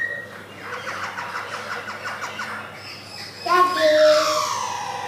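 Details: A male white-cheeked Black-throated laughingthrush (Garrulax chinensis), a kept bird from Yogyakarta recorded in 2021, gives loud, clear whistled notes that slide and bend after a quieter run of rapid, speech-like chattering.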